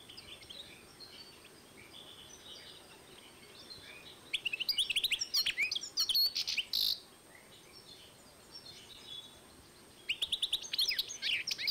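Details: European goldfinch and canary hybrid singing in 2012: bursts of high twittering trills and chirps in two phrases separated by quieter pauses, with faint background noise.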